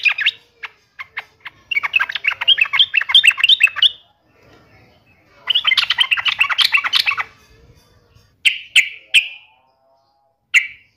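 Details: Yellow-vented bulbul in combative song aimed at a rival: scattered sharp notes lead into fast, bubbly chattering runs, followed by a few loud, clear, slightly descending whistled notes spaced apart.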